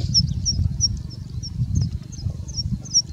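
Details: Singing bush lark in India singing with mimicry: faint, thin high chips repeated about every third of a second over a loud low rumble.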